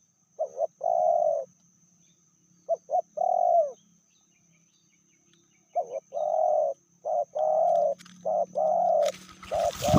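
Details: Female spotted dove, said to be fiercer than the male, cooing in repeated phrases of short notes and rich, sustained coos; a sudden burst of loud rustling noise cuts in at the very end.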